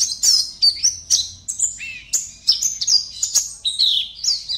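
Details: Oriental white-eye (Zosterops palpebrosus) from Pontianak, West Kalimantan, singing as an online song-contest entry: a rapid, high, twittering run of thin sweeping whistles and chirps with no pauses between phrases.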